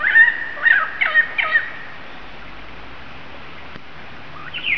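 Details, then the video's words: Wild lyrebird at Mason Falls, Kinglake National Park, Australia, copying calls of currawong, bell birds, galah, magpie and kookaburra: a run of four loud, cackling, rapidly repeated notes, then a quiet pause and a final rising call. "Lyrebird of Australia. Amazing bird calls. Mimicking calls of other birds including the kookaburra."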